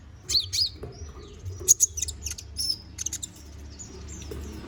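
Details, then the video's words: Konin bird chattering briskly as a master song for magpie-robins. High, sharp chirps, slurred squeaks and quick clipped notes follow one another unevenly, with a soft low background hum. "MASTERAN BURUNG KONIN GACOR NGOBRA FULL ISIAN!"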